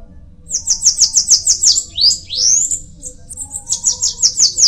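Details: Bananaquit song: rapid bursts of very high, thin, buzzy notes repeated about three per second, broken midway by a loud upslurred sweeping whistle, then another quick high series.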